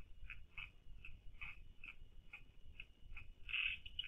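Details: A night bird, locally called Bombok leweh in Rangkasbitung and said to call around midnight, recorded at night at a spring. It gives short, clipped notes about every half second, ending louder, over a steady low rumble.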